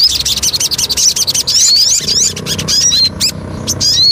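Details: Lure song of the Javan cochoa, a tumbling stream of high, quick notes and thin up-swept whistles, briefly broken by a pause before more sharp whistled phrases.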